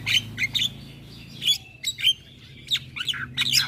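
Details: Chattering Javan myna giving loud whistled and grating notes in short clusters, with a low steady hum underneath.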